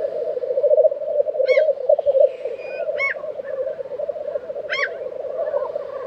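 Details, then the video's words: Murmuring, bubbling chorus of black grouse at an April 2023 lek in Tiveden, Sweden. Three sharp high chirps from another bird stand out above the steady drone. "Black Grouse Lek - sound recording"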